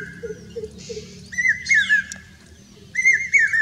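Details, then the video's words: Common hawk-cuckoo song in Rajasthan, India: loud, shrill whistled phrases sliding up and down, two bursts about a second and a half apart, with soft low hoots and thin high notes behind. "common hawk cuckoo song"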